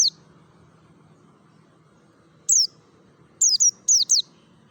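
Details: Ngalas song of a mountain white-eye from Merapi, a lure to make other white-eyes sing: a clipped note, two seconds of low murmur, then a single high downslur followed by two rapid pairs of piercing whistles.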